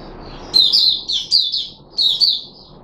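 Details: Red-whiskered bulbul known as Puteh Raja, caged, 13 April 2021, after fruit juice, mealworm and supplement: two sweet, slurred warbling phrases of several bright notes, with a quieter bird chirping faintly before.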